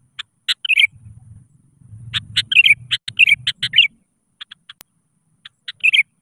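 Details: A sooty-headed bulbul gives rival-calling song used to start other bulbuls singing. Gurgling, warbled phrases mix with sharp clicking notes, over a low rumbling hum through the middle of the recording.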